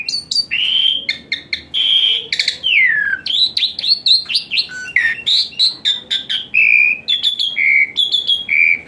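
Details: Asian pied starling song full of varied phrases for coaxing a lazy singer; rapid clicks and chips interleaved with long whistles, one sliding steeply downward, and buzzy bursts.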